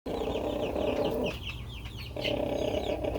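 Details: Pet rooster snoring while happy: a low, rough, droning rasp held for about a second, breaking off, then returning, with faint high chirps from other birds above.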